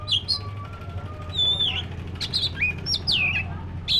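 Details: Lively song from a black-breasted magpie-robin: quick high whistled slurs, down-swept notes and sharp chips packed closely, a faint low hum behind.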